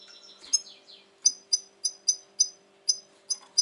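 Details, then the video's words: European goldfinch, described as highly agitated lately, 2020: a short twittering phrase, then sharp high clipped chips repeated roughly every third of a second over a faint low hum. "Saka kuşu ötüm"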